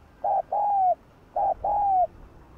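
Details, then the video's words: Spotted dove coo used to trigger calling in other doves: a short steady note then a longer note gently falling at the end, given twice in quick succession. "chim cu gáy kích bổi gáy cả ngày"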